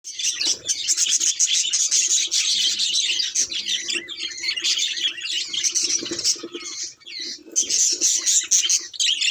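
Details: Pet budgerigars kept as a household flock give a dense, continuous twittering warble. Rapid high chirps and scratchy notes overlap with brief pauses, and a few lower clicks sound underneath.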